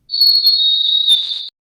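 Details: A chickadee, isolated with a high-frequency band-pass filter from a recording that also held a lower cardinal, gives a clear, high, pure whistle held for over a second, dipping slightly in pitch near the end.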